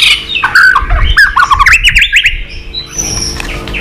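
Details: Provoked white-rumped shama in a fighting song with tail flicks: a loud run of squawky, slurred notes that dip and rise in quick succession, fading into a thin high whistle over light background noise.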